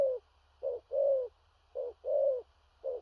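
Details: Big-bodied spotted dove giving stuttering 'thổ rặc' coos: two doubled phrases, a short hoot leading into a longer, softly falling coo, bracketed by single short notes.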